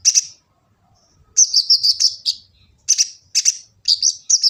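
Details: High sunbird twittering, a kolibri ninja master song from Gresik, East Java: a lone sharp chirp, then rapid strings of shrill, slightly buzzy notes in clusters. Used to train kept birds; phone-recorded.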